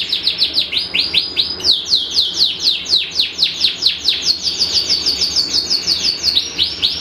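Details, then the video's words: Caged canary described as a symmetrical panda bird with long song duration, delivering rapid repeated downward-sweeping whistled notes, several per second, in a fast rhythmic run followed by buzzy trilled phrases. "Kenari Rasmi Iran Panda Simetris Mewah Durasi Panjang Anti Ruji"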